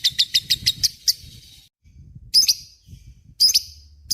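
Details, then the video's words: Lovebird in a long, continuous 'ngekek' chattering song, kept as a master recording for training murai and kacer birds; bursts of rapid, sharp, high chirps repeated in quick runs, broken by short pauses, over faint low rumble. "SUARA BURUNG LOVEBRID GACOR NGEKEK PANJANG"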